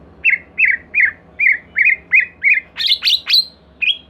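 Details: White-rumped shama singing as a lure to get another shama to respond: about eight similar husky falling notes spaced roughly every half second, then three louder high rising whistles and one last note; faint hiss behind.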